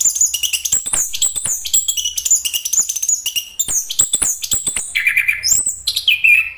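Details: Continuous lively song of a Chestnut-capped thrush: rapid high whistled notes tumbling up and down, interspersed with ticks, closing with lower buzzy warbled phrases.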